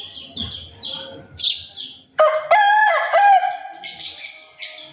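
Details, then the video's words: A rooster crows: one long, loud, harsh crow lasting more than two seconds, with a waver partway through, preceded by high chirping from small birds. "rooster sounds!"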